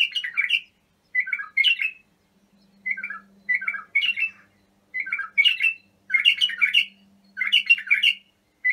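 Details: {'caption': 'Bulbul song played to train young birds: bursts of chattering, fluty notes in quick two- and three-part phrases, separated by short gaps, with a faint low hum underneath.'}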